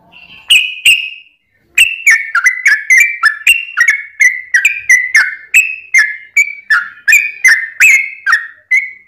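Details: Sooty-headed bulbul song used as a lure to stir other bulbuls into singing. Two opening whistles are followed by a pause, then a fast, steady chain of bright, slurred whistled notes.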